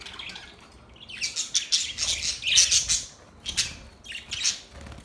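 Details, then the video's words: Budgerigar chatter: a quiet start, then a run of grating, high squawky chirps, followed by two separate short bursts of bright warbling. "Budgies chirping sound"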